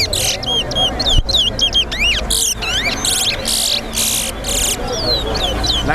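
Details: Towa-towa (seed finch) singing during a race at a bird ground: quick chains of looping whistled notes, then rasping buzzy bursts, with steady crowd noise and low hum behind.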